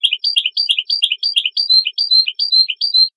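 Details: European goldfinch training song: crisp two-part twittering phrases repeated rapidly and evenly, about three per second, high and bright, the later phrases ending in a clear, slightly slurred whistle. No background noise.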